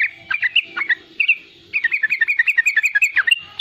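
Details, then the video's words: Young, persistently singing yellow-vented bulbul giving riwikan-style song, used to lure and tutor young bulbuls: quick chattering bursts of sharp, bubbly notes, a brief pause near the middle, then a rapid even run of clipped chirps. "Riwikan trucukan muda gacor untuk pancingan bunyi trucukan bakalan dan anakan"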